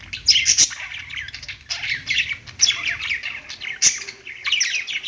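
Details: Pet budgerigars singing on a perch: a dense, continuous chattering warble of quick chirps, squeaks and clicks, with sharp high notes near the start and around four seconds.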